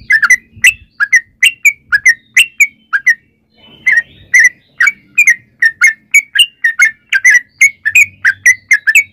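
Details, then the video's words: Sooty-headed bulbul in full voice, a lure recording meant to prompt other bulbuls to answer: a long, steady stream of short chirpy whistled notes, broken by one brief pause near the middle. "trucukan gacor ROPEL PANJANG buat pancingan trucukan agar bunyi jadikan burung trucuk gacor SEKETIKA"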